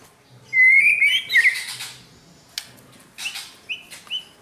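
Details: White-rumped shama under training, one loud rich warbled phrase rising and twisting, followed by scattered clicks and short soft whistles.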